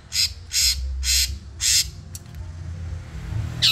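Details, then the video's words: Long-tailed shrike from Madura, a cage bird in a song-training recording: loud, harsh, buzzy rasping bursts repeated roughly every half second, then a quieter pause with faint clicks before another rasp, over low background rumble. "Masteran Cendet Bisu Langsung Ngacor Dor"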